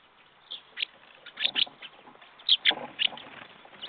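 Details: Several jackdaws on a February 2014 morning calling with brief sharp notes scattered irregularly, some paired, over a steady low murmur of background noise.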